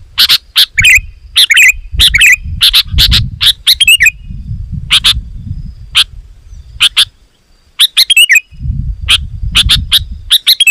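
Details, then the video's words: Sooty-headed bulbul in dense, loud calling meant to lure wild birds: quick sharp chips and short gurgling warbles in bursts, a quiet gap near the middle, low rumbling noise beneath. "Suara Burung KUTILANG GACOR, Rapat dan Lantang"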